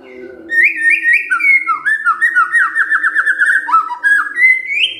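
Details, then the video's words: White-rumped shama in 'kretekan fighter' style, played to make silent shamas respond. Rich whistled phrases step up and down in pitch, run into a quick stuttering series, then rise again to a clear whistle at the end. "KRETEKAN FIGHTER✅ BEBERAPA DETIK SAJA, MURAI DIAM PASTI RESPON NYAUT"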